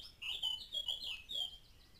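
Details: A Eurasian blackcap singing quite close to a trail camera in May 2012 gives a quick, bright warble of varied fluty notes, a brief burst of about a second, with faint lower sounds beneath.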